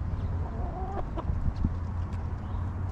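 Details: Backyard chickens in their coop: a hen makes a short wavering tonal cluck, followed by sharp scratchy clicks and taps, all under a continuous low droning hum.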